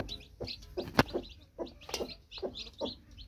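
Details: Broody hen clucking in short low notes while her newly hatched chicks cheep in quick high peeps; one sharp loud knock or tap breaks in partway through.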